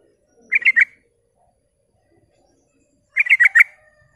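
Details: Lure song of a sooty-headed bulbul meant to provoke rival bulbuls: two short, bubbly phrases of about four rapid, warbled notes each, separated by over two seconds of near silence.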